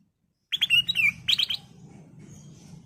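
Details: Lure song of a Golden-fronted leafbird for training caged birds, a lively run of clear whistled notes and slurred warbles lasting about a second, followed by a faint low hum.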